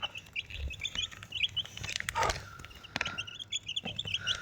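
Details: Four baby chicks with their Desi mother hen give rapid, high-pitched cheeping notes, some with short upslurred whistles, over steady low hum and a few scratchy knocks.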